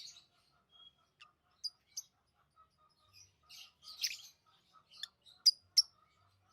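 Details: Pet lovebirds chattering quietly: scattered thin high ticks and squeaks, a faint soft whistle, and a few louder sharp chirps spaced irregularly, with a low steady hum in the background.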